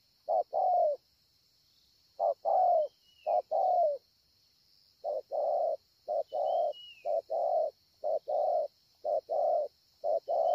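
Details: 'Bổi' spotted dove with a scarred breast cooing well, Ngọc Hồi, Vietnam, 25 March 2020: low rounded short-long coo pairs, broken by a brief gap and then continuing in a quicker run, with a constant high hum and faint whistled notes behind.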